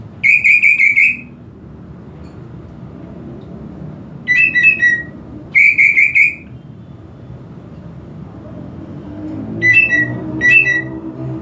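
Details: Greater green leafbird song aimed at provoking aggression: several bursts of rapid whistled trills and shorter falling whistled phrases, separated by pauses, with faint low rumble in the background.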